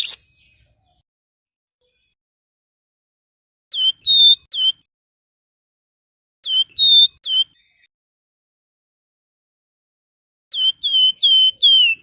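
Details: Flamboyan whistling as a master recording used to lure other birds into singing: short clusters of high, clear, sweet whistled notes, three or four per burst, repeated after silent pauses of about three seconds, with no other sounds.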